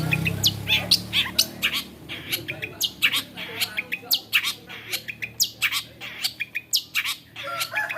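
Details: Long-tailed shrike (cendet), a bird that copies many other birds' voices, giving a rapid string of harsh, scratchy squawks and chips, loud and irregular, with a low hum at the start.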